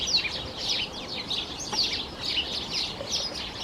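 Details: Magpie chattering at a distance in an Irish garden in early spring (February), just before sunset on a warm, fine day, with many birds singing: a harsh, rattling chatter of rapid scratchy notes in bursts several times a second.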